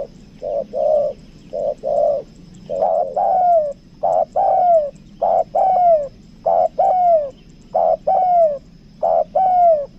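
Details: Steady series of spotted dove coos from a 'kuk dua' lure bird in Lombok: short low notes paired with longer descending coos, about one phrase every second, overlapping voices suggesting several doves.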